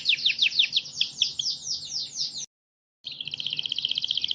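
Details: Canary singing, used as training sound for other birds; fast descending whistled notes repeated in a steady run, a short silent gap, then a quick buzzy trill of rapidly repeated high notes.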